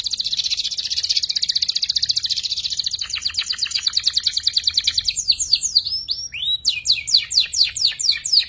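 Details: Young canary learning to sing ngeriwik, used as a master song for murai and kacer fighters; a long rapid pulsing trill slows into rattling notes, followed by quick swooping chirps and a rising slur.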